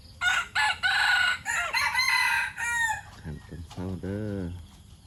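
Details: White decoy red junglefowl rooster crowing: a series of hoarse, broken bursts over nearly three seconds with strong upper harmonics, ending in a drawn-out note, followed by a man speaking.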